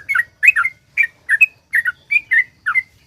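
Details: Sooty-headed bulbul delivering the rapid 'ropel panjang' song used to coax other bulbuls to sing: bright slurred notes in quick doublets and clusters, repeated several times a second, backed by faint low rumble.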